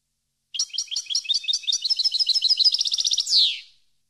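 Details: Goldfinch song for training cage birds: a three-second run of rapid tinkling notes that speed up into a quick trill and close with a harsh buzzy downward sweep.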